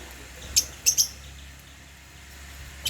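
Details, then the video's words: African lovebirds in a cage at meal time, eating holy basil; three short, sharp, very high chirps, two close together, over a faint steady hum. "Meal time | African Love birds | Eating Holy basil | chirping sound"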